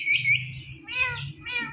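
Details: Talking Indian ringneck parakeet: a high squeaky opening followed by two nasal, strongly harmonic speech-like syllables spaced about half a second apart, with a low background hum.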